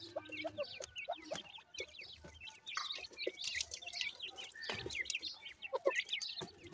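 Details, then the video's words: Grey francolin (teetar) chicks calling: dense overlapping high, short chirps and upslurred peeps, several birds at once, with scattered clicks and low clucking notes. "wonderfull pheasant teetar chicks,teetar calling bird"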